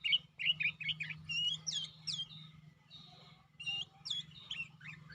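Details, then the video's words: A caged sooty-headed bulbul in full, active song gives a dense stream of quick, varied whistles and upslurred chirps, softer and busier than usual, with a steady low hum underneath. "kutilang gacor"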